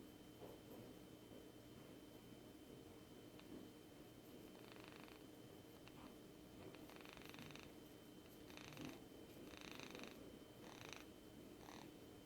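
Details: A pet male rainbow lorikeet (Trichoglossus moluccanus) sitting in a person's palm purrs softly while being pampered, giving breathy, snoring-like rasps about once a second over a low rumbling purr, with a faint steady high hum behind.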